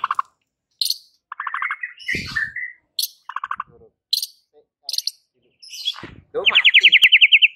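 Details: White-rumped shama song used to provoke rival birds into anger: short bursts of rapid trilled phrases and high whistles with gaps between them, ending in a fast, even trill of about ten bright, repeated notes.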